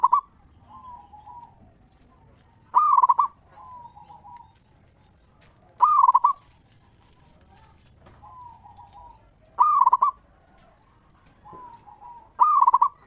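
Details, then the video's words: Local zebra dove, sung in the ngeristal style to draw other zebra doves to answer: loud trilled coo phrases repeat about every three seconds, each followed by softer, lower wavering coos in a steady cycle. "Perkutut Lokal Gacor RAJA PIKAT Suara Ngeristal Paling Ampuh Bikin Semua Perkutut Nyaut Gacor"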